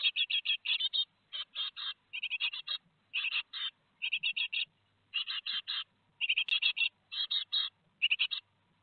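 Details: Two days before fledging, great tit chicks at Théding on 15 July 2020 call in rhythmic groups of rasping buzzy notes, bursts of three to five, separated by short silences.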